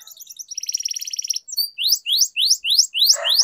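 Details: Singing canary, a recording for training canaries to sing and coaxing birds that have stopped: a fast buzzy high trill of about a second, then steep rising whistled notes repeated about four per second.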